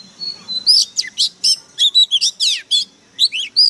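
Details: White-rumped shama song of loud, varied, rapidly changing whistled and chirping notes with frequent sharp sweeps, delivered in quick bursts with brief pauses.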